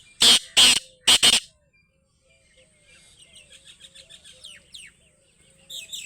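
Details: Black francolin calling: four loud, harsh, grating notes in two quick pairs within the first second and a half, followed by quieter high chirping and twittering from small birds in the background.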